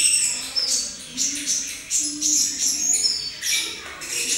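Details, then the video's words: Juvenile brown-throated sunbird in captivity practising its song: scratchy, high-pitched chirps and short whistled phrases in uneven bursts about every half second, with faint background noise. "Trotolan Konin Dada coklat belajar bunyi"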